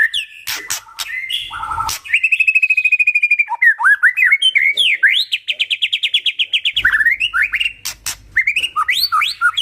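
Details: White-rumped shama singing energetically to prompt other shamas to answer: loud varied whistles, then a long fast trill of repeated notes, followed by rising slurred phrases and another rapid repeated series, with occasional clicks.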